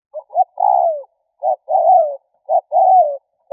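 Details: Spotted dove cooing to provoke or lure other doves: a pair of short clipped notes, then a longer falling coo, repeated three times in a clean, quiet setting.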